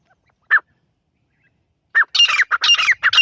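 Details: Loud partridge (teetar) calling: single harsh notes, then a rapid, scratchy burst of rising and falling notes packed closely together.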